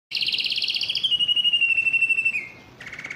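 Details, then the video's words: Yellow canary singing: a fast trill of repeated notes that slides into a long, smooth, slightly falling whistled tone, ending with quicker rolled notes. "yellow canary singing"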